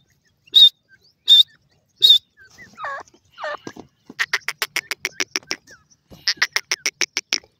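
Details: Grey francolin in breeding season at a bird breeding farm: three short high whistled notes, then two lower looping notes, then a fast run of loud harsh repeated pulses, pausing briefly before a second quick burst.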